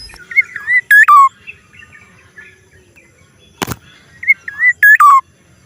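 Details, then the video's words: Black-naped oriole giving its strange sound: two short fluty whistles, then a loud clear note ending in a falling slurred whistle. The phrase comes twice, about four seconds apart. A sharp click falls between them. "kepodang suara Aneh"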